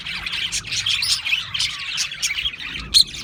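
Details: Chatter from a group of Australian parrots: rapid squeaky chirps and soft warbling notes run on continuously, ending with one sharper, louder squeak near the close.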